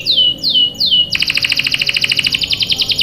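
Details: Domestic canary song for luring young birds to sing: three slow descending swept notes, then a rapid, evenly pulsed high trill of about seven notes per second to the end.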